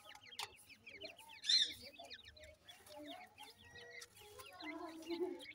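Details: Chicks of the grey francolin peep continuously: high, brief descending cheeps from several birds at once, with a louder shrill note early on and low murmuring clucks toward the end.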